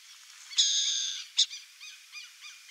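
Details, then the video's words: Wild burrowing owl, also called coruja-buraqueira, in Brazil: a loud, harsh, buzzy rasp lasting about half a second, then a short sharp burst and several faint chirping notes. "CORUJA-BURAQUEIRA (ATHENE CUNICULARIA), BURROWING OWL, CABURÉ-DO-CAMPO, CORUJA-DO-CAMPO, URUCUERA."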